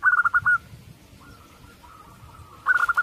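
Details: Local-strain zebra dove, with a short run of staccato cooing notes at the start and another at the end, separated by a soft sustained tone over a low rumble.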